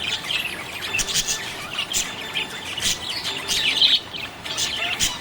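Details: Happy budgerigars chirping: dense overlapping high twittering and short warbled notes, several birds calling at once with sharp clicks between phrases, continuous through the recording.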